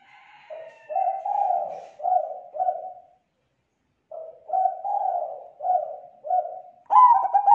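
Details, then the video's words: Zebra dove calling as a lure for other zebra doves: two series of four or five soft coos separated by a pause, ending with a louder stuttered trilling coo. "Suara Pikat Perkutut Suara Tebal Jernih Gacor sangat COCOK Buat Pancingan Perkutut Lain"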